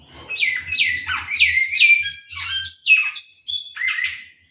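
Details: Large-billed seed finch in a breeder's aviary, singing loud, sweet, fluid whistled phrases that dip and rise in quick succession, several notes per second, with a soft low rumble underneath.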